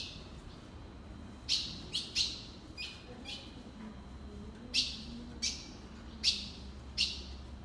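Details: Ultramarine grosbeak calling: single sharp, high metallic chips at irregular intervals of roughly half a second to a second and a half, over steady hiss.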